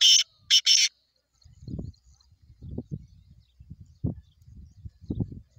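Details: Black francolin calling: a quick run of three harsh, grating, noisy notes in the first second, the middle one briefest, followed by low rumbling background sounds.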